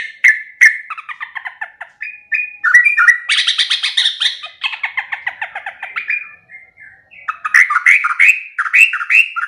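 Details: Sooty-headed bulbul song used as training audio: quick chattering notes, then a dense burst of repeated buzzy syllables, followed by bubbly rising whistled phrases near the end.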